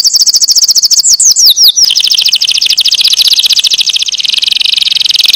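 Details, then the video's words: A canary sings a high buzzy trill, a short run of sliding notes, then a long rapid rolling tour that stays steady to the end. "Chant canaris magnifique"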